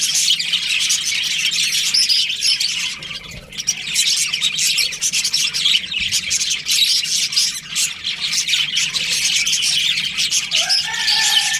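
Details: Colony of budgies during breeding season chattering continuously: many overlapping high twitters and squeaky chirps, dipping briefly near three seconds, with a short rooster-like harmonic note rising near the end.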